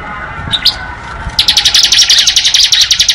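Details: Bar-winged prinia giving its rapid, drilled ngebren song: after a few scattered notes, a fast even series of sharp high ticks repeated almost four times per second, continuing to the end.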